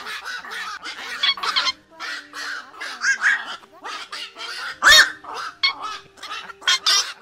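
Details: Flock calling of black-crowned night herons, a recording meant to draw birds into night nets in the August migration season: many rough, nasal squawks crowding over one another in uneven bursts, over a low continuous hum.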